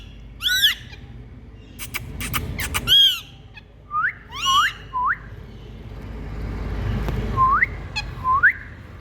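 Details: A group of Indian green parrots (rose-ringed parakeets) making different sounds: harsh descending squawks rich in harmonics, bursts of clicks, then pairs of short rising whistled calls separated by a quiet, breathy stretch.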